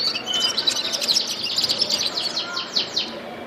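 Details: Gulsar bird singing: a dense run of high, quick chirps and twittering notes, ending in a series of sharp downward-sweeping whistled notes.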